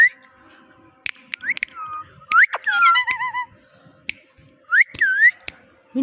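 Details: Talking pet parrot giving a run of swooping whistles, some rising, some dipping, with a quick warbled trill in the middle and scattered sharp clicks between the phrases.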